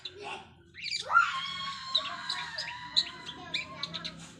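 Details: Long-tailed shrike rehearsing fancy mimicked fill-ins: a rising whistle sweeps into a long sustained harmonic note, overlaid by short sharp chips and a steady low background hum.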